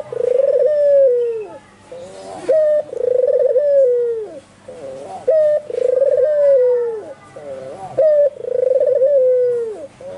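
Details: Barbary dove, a white albino bird calling energetically in full voice: repeated coos about every two and a half seconds, each a brief clear note, a rattling tremolo, then a long descending whistle-like moan; light low hum behind.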